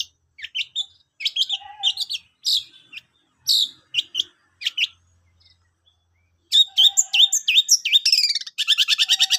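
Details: Long-tailed shrike singing a training recording for birds. Varied high phrases mix whistled and buzzy notes, a brief silence follows, then a dense burst of fast, rattling trills.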